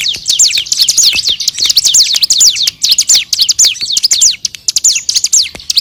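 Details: Bar-winged prinia in energetic training song for other songbirds: a fast, dense run of high, sharply down-slurred chirps, several per second, with only a faint low hum beneath.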